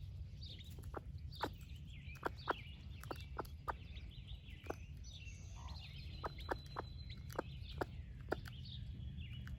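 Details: Doting broody hen of the splash laced red Wyandotte breed sharing breakfast with chicks, clucking in short sharp notes at an uneven pace. Chicks chirp high and sustained in the middle, over a low background rumble.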